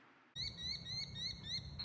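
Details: Merlin (Falco columbarius), a kind of falcon, found in a Home Depot parking lot in July 2020, calls with a fast run of sharp, high, slightly rising notes, about four a second, over a low rumble of traffic.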